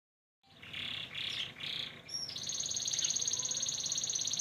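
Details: White crested canary singing: after a brief silence, three buzzy rolling phrases, then a high, fast, even trill held steadily to the end.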